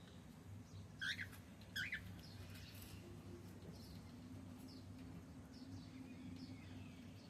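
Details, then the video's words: Two quick, bright rising chirps from a male cockatiel less than a second apart, then only faint clicks and a steady low hum. "Cute Cockatiel sound 💝🎀male Sound"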